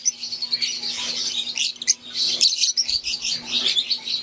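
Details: Wild-type green and Euwing Fischer's lovebirds in an aviary give busy, piercing twitters and sharp chirps, nearly unbroken with brief dips, over a low steady hum.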